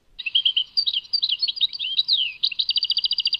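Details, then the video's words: Singing European goldfinch, Tadmait. A busy stream of sweet twitters and sliding whistled notes ends in a rapid sequence of evenly spaced, chattering trill notes. "Chant chardonneret Tadmait"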